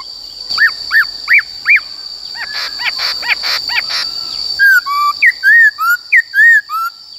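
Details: Black-throated laughingthrush, caged, singing its forest-voice song for training young birds: four arched whistled notes, a muddled burst of sharper notes, then a string of clear falling and rising whistles, over a constant hum.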